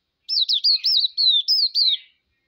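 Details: Hume's white-eye, known locally as pleci, gives a clean, high, thin warble of seven looping whistled notes in under two seconds, each note sliding up and down, with no background sounds.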